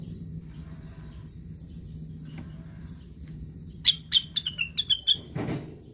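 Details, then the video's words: After several seconds of low hum, a plaintive cuckoo bursts into a short 'ngigau' run of about eight rapid, slightly falling whistles, followed by a dull thud. "KICAUANYA KLASIK....BURUNGNYA NYENTRIK...CUCAKWILIS SEDANG NGIGAU"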